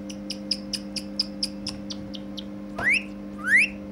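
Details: Ringneck parakeet, said to be talking and dancing, gives a run of short high chips about four per second, then two quick upward-sweeping whistles; a steady low electrical hum runs underneath throughout.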